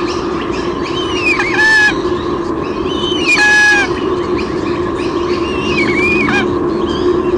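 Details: Female White-bellied sea eagle on a nest camera at Sydney Olympic Park, Australia, 23 June 2016, squealing as the male brings a fish: three piercing, rising-then-falling harmonic squeals about two seconds apart over a steady low hum.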